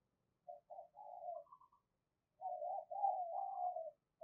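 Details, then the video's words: ['Decoy spotted dove in the thổ voice style, luring wild doves: only quiet, low, wavering murmured coos in two runs, with a short pause between them.'] "Chim Cu Mồi Thúc + Gáy Gọi Bổi Nhanh Về Cội"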